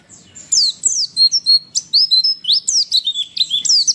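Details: Female white-eye, played to make reluctant males respond quickly: lively high-pitched warbling of quick whistled slurs and short chips, with brief gaps between bursts.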